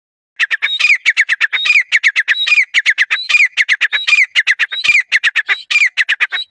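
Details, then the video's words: Partridge in Rajasthan, India, calling loudly: a rapid, rhythmic series of harsh, squeaky notes, several each second, with rising whistled inflections repeated in a steady cadence and no other sounds. "देखो तितर कैसे बोलता है"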